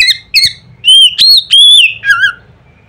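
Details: Loud Oriental magpie-robin notes used to set other magpie-robins singing: a short run of ringing whistles, flat then upslurred, ending in a wavering lower note, with a faint hum beneath.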